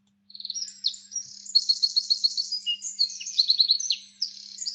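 A Wren pours out a loud, very high, fast song of sharp notes, with rapid machine-gun trills rattling through the middle. No other sounds intrude.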